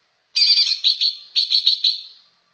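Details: Greater green leafbird pouring out a loud, dense, harsh warble of about seven rapid pulsed bursts within two seconds.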